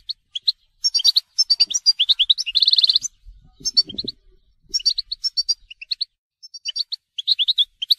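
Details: Goldfinch song in the telqam style: lively, tinkling high twitters and chirps in quick phrases, with a fast, metallic trill of evenly repeated notes, followed by further sparkling, broken phrases and brief gaps.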